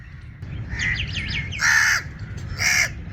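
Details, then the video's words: Crow giving its coughing call: two harsh, broad, rasping bursts about a second apart, preceded by a quick run of thin wavering twitters, over a steady low rumble. "Crow Coughing Call: Unique Crow Cough Sounds"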